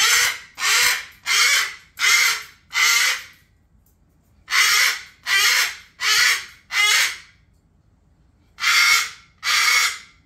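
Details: Cockatoo kept as a pet, screaming in a bedtime tantrum inside the house; harsh, loud screams in bursts of five, four and two, spaced about two-thirds of a second apart with short pauses between bursts.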